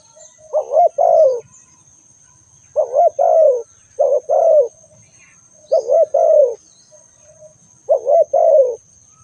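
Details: ['Repeated cooing call of a spotted dove, each phrase a brief wavering note and a drawn-out falling coo, roughly five phrases at irregular intervals over a quiet background with a thin high hum.']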